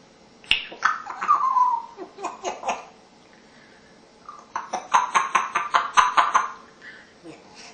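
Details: A mature female African grey (Congo) parrot, a talkative rescue, chatters in short, speech-like phrases, then gives a quick run of about eight laugh-like bursts in a quiet room.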